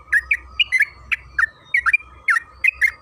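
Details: Sooty-headed bulbul song played as a lure to prompt singing: short fluted, slightly buzzy notes in quick pairs and triplets, with a low background hum beneath.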